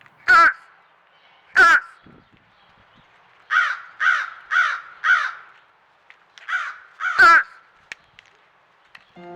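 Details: American crows at backyard feeders giving harsh, full caws: two loud single caws, then a quick series of four, and a few more after a pause, with no other clear sounds.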